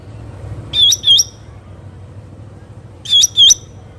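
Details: Two pairs of loud, slurred hooked whistles from a wild black-headed bulbul, separated by nearly two seconds of quiet, with soft low background hum.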